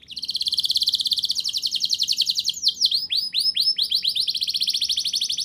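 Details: Canary in full song, used to prompt young canaries to sing: a fast rattling trill of rapid notes, then a run of repeated upswept whistled syllables and another quick trill.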